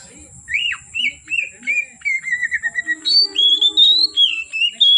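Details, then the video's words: From afternoon into darkness, an oriental magpie-robin sings a series of rising-then-falling whistles in quick succession, shifting to higher, steadier tones midway, with a low hum and faint background murmur. "Kacer Gacor Sore Sampai Gelap Malam tetap Bunyi Gacor"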